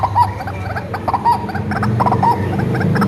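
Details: Tame, hand-raised white-breasted waterhen used to lure wild birds: short grunting calls in pairs, sharp and nasal, above a loud droning hum that swells toward the end.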